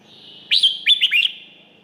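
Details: One cheerful phrase from a red-whiskered bulbul in Thailand: about four loud, bubbling whistled notes in quick succession.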